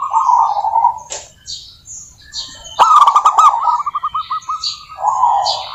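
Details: Vigorous local zebra dove: a low rolling coo, a pause, then a clicking burst followed by a string of quick, evenly spaced bubbling notes and another low coo. Scattered high chirps from other birds.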